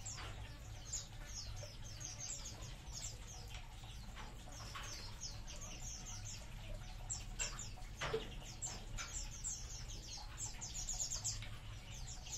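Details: A colony of munias: many short, high chirps and thin twitters overlap without pause, with a steady low rumble of background noise underneath and one louder click near the eighth second.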